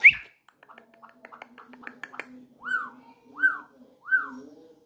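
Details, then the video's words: Campo troupial singing while perched on a finger indoors: three clear whistled notes, each rising then falling, spaced under a second apart, after a stretch of faint clicks and soft sounds. "PÁSSARO CORRUPIÃO CANTANDO EM CIMA DO DEDO!"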